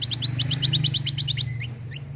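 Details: Cucak kombo singing a fast burst, used to prompt other birds into song: a quick even run of about twelve sharp high chirps, then a few scattered notes, all over a strong low hum.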